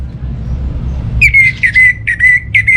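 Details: Orange-headed thrush song used to draw silent home birds into singing: after a quiet start, loud clear whistled notes at a steady pitch, repeated in quick bursts with brief gaps.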